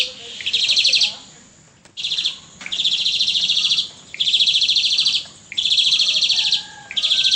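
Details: Asian pied starling in energetic pumping-style song, 4 April 2018: harsh, rattling pulsed phrases near a second long, repeated about every 1.3 seconds, some slightly uneven, with a faint thin whistle in between.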